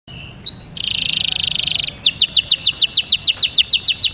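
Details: Male canary song for mating: a brief whistle, then a rapid buzzy trill, then a fast run of repeated downslurred notes, about three per second.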